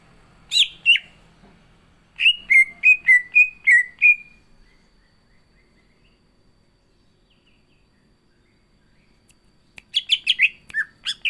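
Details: Green leafbird (cucak ijo) singing a full, rich song before contest use: an opening pair of sharp notes, then a run of quick downward-slurred whistles, a long silence, and a final burst of bright chattering notes.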